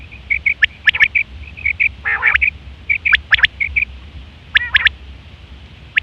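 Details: Female batair quail call used to lure quail while hunting: a busy run of short high piping notes mixed with sharp clipped doublets and one harsher, lower burst.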